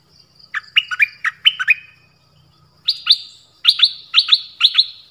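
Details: Song of the nok dok taeng, a bird kept to learn songs, in 'phleng boen' style: a few varied rising and falling notes, a short pause, then crisp, high notes dropping sharply, given in quick pairs and repeated steadily.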